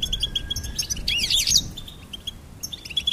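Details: Goldfinch twitter with rapid repeated chips, then a loud tangle of swooping, slurred high notes just after one second, followed by sparser chipping and a faint steady whistle early on.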